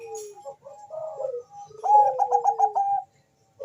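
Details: Zebra dove, Bangkok type, calling quickly with a rival replying, used for luring: a falling whistle and short coos, then a fast string of five rippling cooing pulses over a sliding note.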